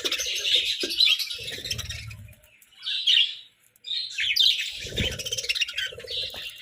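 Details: Pet budgerigars chirp and chatter in quick, high, scratchy bursts while playfully squabbling over food and treats.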